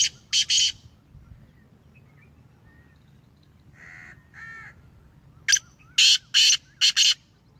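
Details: Home-bred Black francolin, Sheedi strain: a short trio of grating bursts, a lull holding two nasal tonal notes from another bird, then a loud phrase of five harsh rasping bursts.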